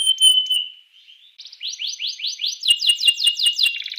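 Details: Canary song used as a lure to stimulate other canaries to sing: a long steady high whistle, then a series of rising swept notes, then a fast buzzy trill of repeated strokes.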